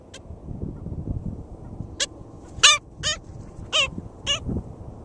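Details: Black Skimmer at a nest, St George State Park, Florida, 22 June 2013, giving about five short, nasal, dog-like barks, spaced roughly half a second apart, over a low rumble of wind or surf.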